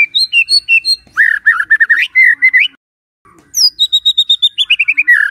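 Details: Singing white-rumped shama, played in the morning to coax a silent bird into song: clear repeated whistles, a run of warbled notes, a pause, then a descending series of bright piping notes.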